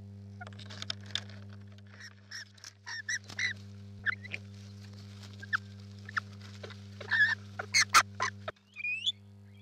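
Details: Rainbow lorikeets at a nest give a run of harsh, broad screeches and chattering squawks, bunched irregularly and growing louder toward the end, over a steady low electrical hum.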